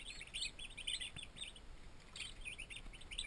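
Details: Newly arrived turkey poults, twenty baby turkeys in a farm nursery, keep up a lively chorus of high, quick chirping peeps over a low background hum.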